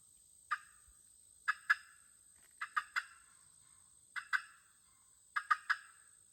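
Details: Local hens trading calls: short, sharp clucks in pairs or triplets, spaced about a second apart, against a quiet background.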